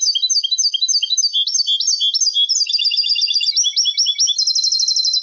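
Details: Continuous song of a European goldfinch hybrid, for young birds to learn: a steady stream of high, sliding twitters and rapid chattering notes that closes in a fast, tight trill.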